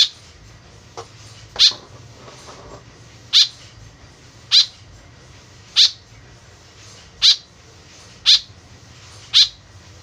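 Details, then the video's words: A white-breasted woodswallow (kekep babi), a lively calling bird whose call is used as a lure, gives seven short harsh nasal notes about every one to one and a half seconds, against a quiet low hum. "BURUNG KEKEP BABI GACOR SUARA JADI PIKATAN . SUARA BURUNG KEKEP MENDEKAT"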